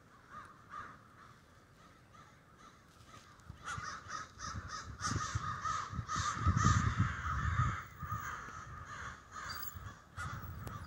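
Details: Murder of crows at a snowy Denver roost: scattered caws swell into a thick, raucous chorus, with low rumbling noise beneath in the middle stretch.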